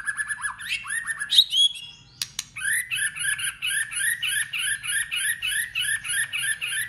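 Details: White-rumped shama in competitive singing: quick chattering phrases, a click, then a long series of fast repeated chirpy notes.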